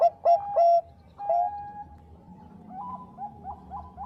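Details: Bangkok-strain zebra dove, a master track for provoking rival birds to call. Loud, crisp coo notes open with a quick triplet and a stretched note, followed by softer, more distant rhythmic cooing from other doves.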